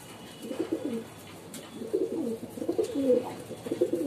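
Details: Female pigeon giving soft, low, burbling coos in short rolling bursts, a pause after the first, then several phrases close together, slightly muffled against a quiet background.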